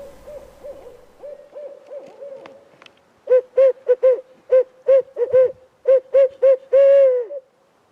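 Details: Barred owl calling back and forth with a hunter during an evening spring turkey hunt, perched in tree foliage; a soft series of low hoots at first, then loud, clipped hoots in quick succession ending in a drawn-out, falling note.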